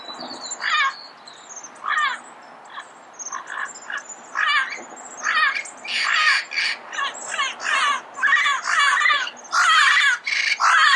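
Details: Red-crowned amazon calling at dawn in Pasadena, a long series of raucous, raspy squawks that grow louder and more crowded toward the end, with high chirps of small birds behind.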